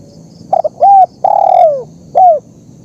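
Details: One full cooing phrase of a spotted dove, used for teaching young birds or luring wild doves: stuttering opening notes, a steady mid-pitched coo, a long descending coo, and a clipped downward ending note.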